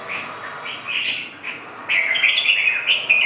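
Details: Red-whiskered bulbul giving short, bright whistled notes, then a louder, rich warbled run of slurred phrases, over steady background noise.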